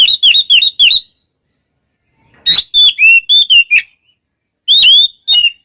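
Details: Oriental magpie-robin singing actively, its song said to provoke rival birds: loud, clear whistled phrases with rising and falling notes, given in three quick bursts separated by short pauses.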